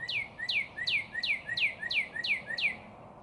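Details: A cardinal's bright song: a steady string of seven or eight clear whistled notes, each dropping sharply in pitch and paired with a lower upslurred lead-in, roughly three per second, loud and close.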